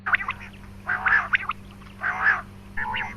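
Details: Quail calling played to attract quail for hunting: rasping buzzy notes mixed with brief sharp chips, in bursts about every second.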